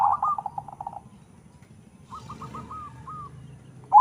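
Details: Crossbred local-Bangkok zebra dove noted for its big voice, giving a fast stuttering coo of about eight beats, then a pause, a softer row of cooing notes, and a loud coo starting right at the end; faint low rumble beneath.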